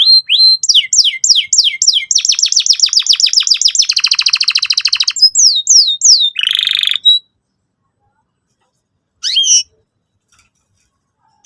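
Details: A canary sings a lure song meant to teach young canaries: descending whistled slurs run into fast buzzy trills and a harsh burst, followed by silence and one short later phrase.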